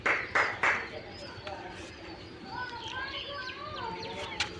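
Three harsh, raspy screeches open the clip, followed by softer wavering chatter and whistled glides over a low background murmur.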